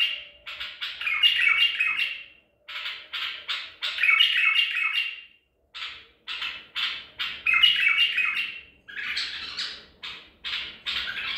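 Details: Song of a white-eared bulbul of the Baghdadi type caught at Medical City, 14 April 2021: rapid series of clipped notes running into rich warbled flourishes, repeated in phrases of about two seconds.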